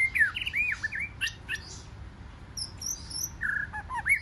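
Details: Brief competition song from a wild-caught white-rumped shama, with looping whistled notes, a few sharp clicks and a high twittering phrase before a lower whistled slur.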